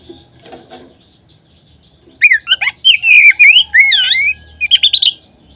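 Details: Oriental magpie-robin song serving as a lure to excite other magpie-robins into singing. Faint low sounds open the recording, then a burst of vivid whistles with sweeping dips and quick chirps follows, over a slight low hum.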